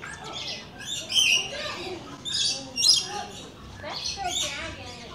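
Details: Several rainbow lorikeets come to visit, giving shrill, grating squawks in uneven clusters and rasping chatter, while a person talks softly underneath.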